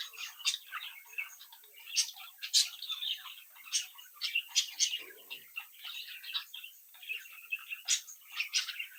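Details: Australian budgerigar chicks from a home brood, chirping, singing and mimicking while playing; rapid scratchy warble with frequent high clicks and squeaks, many birds overlapping.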